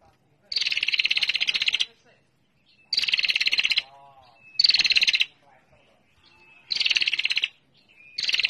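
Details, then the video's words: Lure call of a female bar-winged prinia, used to provoke calling: five rapid, dry, high-pitched trilled bursts of one to one and a half seconds, spaced by short gaps, with faint thin whistles and low notes between bursts. "Suara Pikat Prenjak Betina Gacor Ngetir Rangsang Bunyi"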